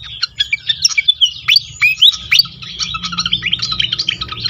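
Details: Lure recording of a pied fantail for stimulating other fantails. Bright whistled notes bend sharply upward and downward in quick succession over dense, high, twittering chatter, with a soft low background rumble.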